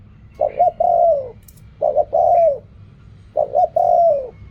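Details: Spotted dove cooing in the styles called riak kham, khu kham and ok rong; three evenly spaced phrases, each two quick hollow notes and one long note falling away at its close.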